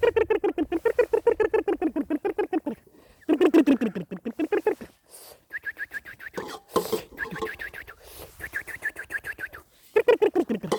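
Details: Chickens producing steady, fast runs of clucks, roughly four per second, sinking in pitch through each run. Thinner, higher notes and a few knocks fill the middle stretch.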